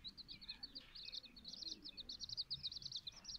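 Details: Silkie and Golden Sebright chicks cheeping in quick high notes, rapid and slightly irregular, the peeping growing busier in the second half, with faint background hiss.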